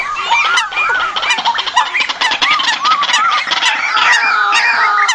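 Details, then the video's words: Bird decoy calls for the migration season. Very dense chattering and trilling from many birds at once, with arched whistled notes repeating rapidly over a constant noisy wash. "tiếng Chim mồi mùa Di cư"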